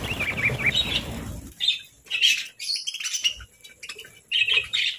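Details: Chirping pet parakeets at breakfast time, short high twittering notes in clusters, opening over a low rumbling background noise that fades after the first second and a half.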